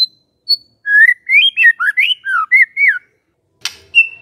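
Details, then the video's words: Magpie-robin song played as a lure to make a silent bird answer: a run of clear, quickly varied whistled notes rising and falling, sliding between phrases, then a short pause, a sharp click and one final high whistle. "murai BENGONG langsung NYAUT dengar pancingan ini"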